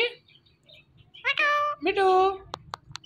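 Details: Indian ringneck parakeet, a pet talking parrot, saying "Mitthu": two short, tonal, speech-like syllables, the second longer and falling, followed by a few sharp clicking ticks, with a low hum indoors.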